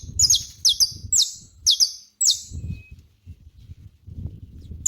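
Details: Saffron finch in a natural setting, delivering five loud, high, downward-sweeping notes about half a second apart, then stopping while low rumbling noise continues.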